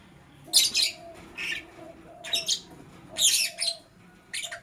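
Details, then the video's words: Lovebird in the morning giving bursts of harsh, high chirps in irregular clusters, with brief quiet gaps and a faint low hum underneath. "Sweet Lovebird Sounds - Chirping Sounds"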